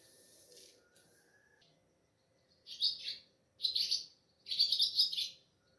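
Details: Swallow (Ababil) calling at a home before dawn at Sehri time on a moonlit night, recorded on a mobile phone: after a quiet start, three bursts of bright, high twittering chirps, each about a second long.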